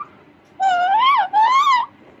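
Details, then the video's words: A 2.5-month-old pet Alexandrine parakeet chick that has just started talking; two drawn-out nasal, wavering squawks, each rising then dipping, back to back indoors. "Cute & funny Baby Talking Parrot"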